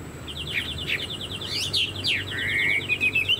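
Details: Chinese hwamei kept as a caged songbird, giving fast repeated chipping notes followed by sharp downward slurs and a long level whistle ending in short rising notes.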